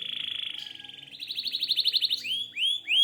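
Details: Canary song with a long steady whistled trill, a quicker pulsing section, then upswept whistled notes spaced about a third of a second apart.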